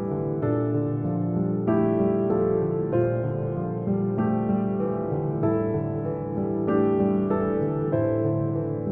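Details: Gentle piano music with steady sustained chords throughout and no animal calls heard.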